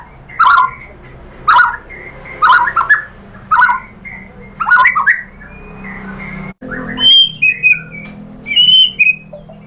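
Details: Shama lure song, played so that other white-rumped shamas answer: rough chattering bursts about once a second, followed by high clear whistled phrases.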